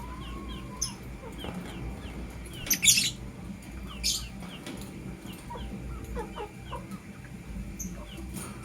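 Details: Morning chirping from a blue opaline and a green personata lovebird: one loud harsh screechy burst and a shorter rasp, surrounded by many small quick twittering notes and steady low background rumble.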